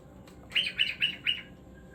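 A cockatiel sings a quick series of four bright, whistled chirps, evenly spaced about a quarter second apart.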